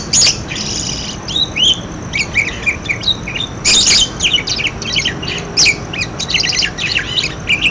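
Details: Busy budgerigar chatter used to set off other budgerigars calling, a dense, fast stream of scratchy squeaks and warbles broken by several loud clicking snaps, with background hum.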